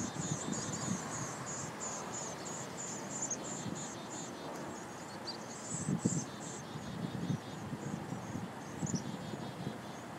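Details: Six Mountain chickadee nestlings at Totem Lake, WA, on 6 June 2011 give thin, very high calls, repeated rapidly in short bursts, over a low rumble of wind and handling noise.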